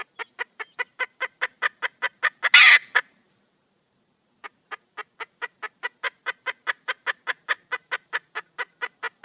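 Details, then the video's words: Red junglefowl hen calling for a mate: rapid regular clucks, then a loud harsh squawk, over a second of silence, then the same even clucking series returning and continuing steadily. "le bruit d'une poule sauvage,เสียงไก่ป่าร้องหาถู่หาตัวผู้,ສຽງໄກ່ປ່າຮ້ອງຫາຄູ່ຮັກ, poj qaib qus see"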